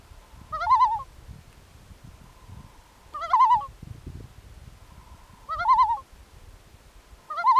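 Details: At night, a loon gives four short, wavering, laughing quavers about every two to three seconds, with a low rumble of background noise between calls.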